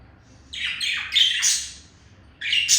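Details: Male budgie courting a female, indoor pet birds; a few loud, harsh descending squawks in quick succession, a pause, then another rasping squawk.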